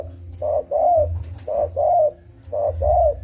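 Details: Lively spotted dove lure call for trappers: three paired coos, each a short burst followed by a longer, gently arching note, about once a second, with a low droning hum behind.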